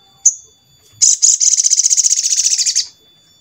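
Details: ['Sogon singing to coax other sogon into song: one sharp high note, a short pause, then a rapid rattling trill of repeated bright notes lasting nearly two seconds before ending abruptly.']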